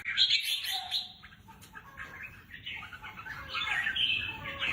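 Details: Red-whiskered bulbul held in a cage for singing contests delivers jumbled warbling phrases, loud at the start, softer in the middle, then building again at the end.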